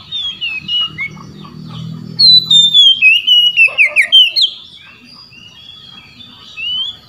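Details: An Oriental magpie-robin calling rivals with full 'ngeplong' song while other magpie-robins answer. Quieter whistles and a low murmur precede a burst of rapid, loud, sharply repeated whistled notes, then softer distant phrases trail off.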